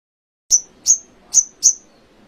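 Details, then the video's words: Canary song material from an Indonesian training recording: four short, piercing high whistles, each sliding downward, spaced about a third of a second apart, with a quiet background. "Masteran sogon kekinian materi kenari"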